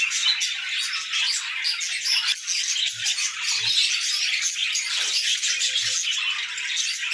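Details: Several budgerigars warble together in the morning, an unbroken stream of high chirps, chatter and scratchy squawks, with faint low thumps in the background.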